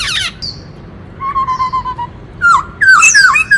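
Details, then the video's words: White-cheeked laughingthrush song meant to provoke males: a rough burst, a thin steady whistle, soft pulsing notes, then a loud tumbling cluster of harsh and whistled tones. "Khướu bạc má hót - Tiếng chim Khướu rừng hót kích trống - Chim khướu hót nhiều giọng hay"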